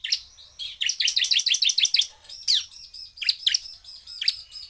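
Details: Bar-winged prinia in powerful emotional song aimed at rival prinias: an opening dense chatter of rapid high notes, then spaced downward-sweeping chips over a steady buzzy trill.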